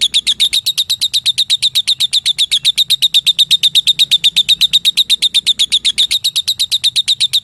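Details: Lovebird calling a rival with a long ngekek trill: loud, strongly rhythmic, high, sharp ticks repeated about four times a second, continuing evenly for seven and a half seconds.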